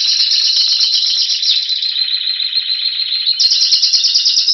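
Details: Spanish Timbrado canary singing in February 2016 near Anavissos, Athens, Greece, "waiting for spring": a loud, unbroken run of metallic, rattling trills shifting between rolls at slightly different pitches, no other sounds.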